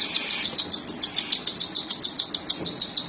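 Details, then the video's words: Cockatiel chicks begging as the mother feeds them: clear, evenly spaced high chirps, about three to four per second, the only sound present. "Cockatiel Parrots Mother Feeding to Cute & Lovely Baby's"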